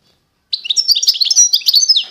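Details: Short burst of goldfinch song, Constantine type from eastern Algeria: dense, fast liquid twittering and high chirps with a drawn-out whistled note at the end.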